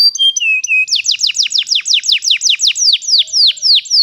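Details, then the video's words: Canary ngeroll used to help young canaries learn: a few short flat whistles followed by a steady series of sharp downward-sweeping notes, roughly four per second. "GAcoR NgerollL Panjang, Pancingan untuk kenari Paud Belajar bunyi"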